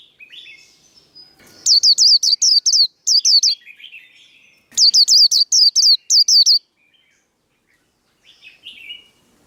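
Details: 'Líu đấu' fighting song of a Japanese white-eye, recorded to train cage birds. Two bursts of quick, high, sharply repeated chirps are separated and framed by softer, lower twittering phrases.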